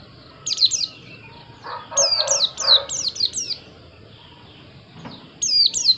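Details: Bursts of shrill, down-slurred white-eye notes, first a short cluster, then a run of about six rapid whistles, and a final pair after a pause. Low murmuring sounds briefly in the background.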